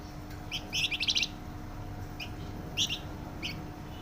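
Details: A Flamboyan delivers a quick cluster of sharp, high chattering notes, followed by a few separate single chirps spaced apart, over a low steady hum.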